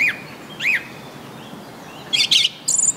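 A Song Thrush sings clear, arched whistled notes followed by a quick burst of high, scratchy chatter, all bright and high-pitched.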